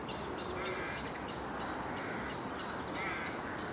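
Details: Rooks at their treetop nests with young in early March, bringing food to the chicks, give harsh, croaking caws, several birds overlapping in a steady rookery chatter with hardly a pause.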